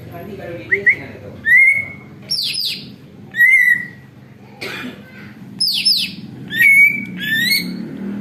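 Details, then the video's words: Noisy greater green leafbird said to imitate an eagle, recorded for luring birds: short bright whistles that rise then hold steady, mixed with harsh, descending rasping bursts, all in irregular spurts over a low murmuring background. "cucak ijo ribut bisa tirukan suara elang"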